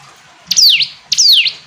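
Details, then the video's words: Hill prinia giving two piercing, downslurred high notes about half a second apart, against a quiet background. "Ciblek gunung istimewa, hitungan detik dijamin langsung bunyi ‼️ jernih"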